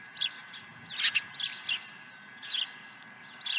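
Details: At Dunrovin Ranch on 23 April 2020, an osprey swoops to the nest carrying a second fish. Short clusters of shrill, high chirps come in bursts about every half second to second, with a quiet steady hum behind.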